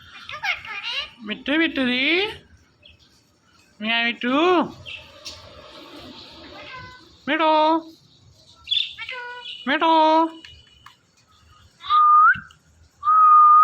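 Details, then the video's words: Talking Indian ringneck parakeet, a pet, giving a series of loud nasal meow-like calls in groups, then ending with two smooth, level whistles. "Funny Indian Ringneck Talking Parrot"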